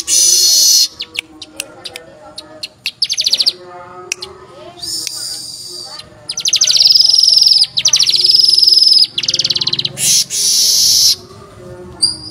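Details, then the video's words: A male-type weaver gives harsh "tembakan kasar" bursts of rapid, buzzy high chatter, each a second or two, broken by sharp ticks and short pauses; described as suitable for tutoring other birds. "Manyar Gacor Tembakan Kasar"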